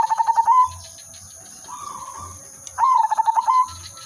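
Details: Silver udanmas zebra dove song used to lure birds for trapping: quick stuttered coos ending in a drawn-out note, a soft distant coo between, then another stuttering phrase, over a constant high hum.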